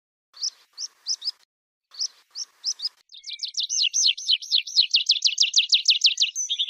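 Rock pipit song: a few sharp, high chips in short clusters, then a fast, ringing run of about twenty swooping notes at a steady pace.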